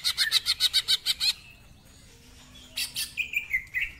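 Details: Greater green leafbird, ngentrok style with fill-ins: about ten evenly spaced harsh stuttering notes, a quiet gap, then a rough burst and a few descending whistled slurs.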